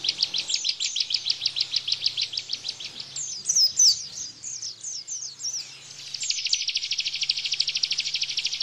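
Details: Bar-winged prinia in the 'tembakan' Bren song style, played to train caged white-eyes: rapid high chips about three a second, a brief louder whistled phrase midway, then a fast, even, buzzy trill to the end.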